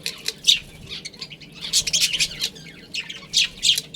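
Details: Budgies in a colony with a breeding pair: loud, scratchy squawking chirps in quick irregular bursts, with several birds calling at once.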